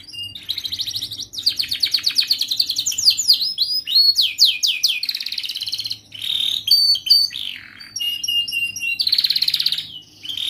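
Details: Training song of a young canary for teaching juvenile canaries: long varied high-pitched rolling trills, rapid repeated chips and whistled sweeps, with a faint low hum underneath.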